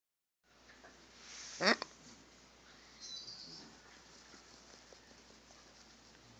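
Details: A pet macaw indoors gives a single harsh, raspy squawk lasting about a quarter second, followed by a faint higher chirp and quiet room noise.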